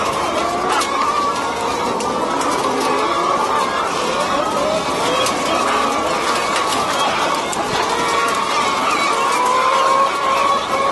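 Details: Dense chorus of caged laying hens on a battery egg farm in France, February 2012: continuous overlapping squawks, rising whines and short clucks from countless birds, with steady ventilation noise behind.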